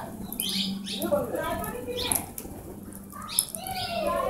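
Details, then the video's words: Plum-headed parakeets, also called blossom-headed parakeets, caught on hidden camera at Shambhuwala, Nahan, Himachal Pradesh, India: several short, shrill, harmonic call notes in quick succession, mixed with wing flapping and a low steady hum. "Blossom Headed or plum headed Parakeets"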